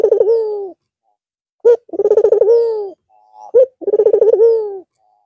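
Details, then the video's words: Barbary dove, a white bird with red eyes, back to cooing after a long Eid al-Fitr break. Three coo phrases, each with a sharp lead note, rapid rolling pulses and a sustained falling tone, with quiet gaps between. "Puter Putih Mata Merah Manggung Lagi Setelah istirahat sekian Lama"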